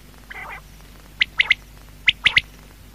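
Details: A quail at night gives sharp, clipped three-note calls, the triplet repeated about once a second, over a low steady hum with a brief murmur beforehand.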